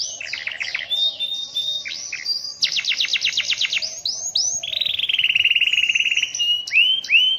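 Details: Canary singing with vigour in the rainy season and producing long rolls. Short twittering trills lead to a loud pulsed roll, then an extended smooth rolling trill and a few upswept whistles.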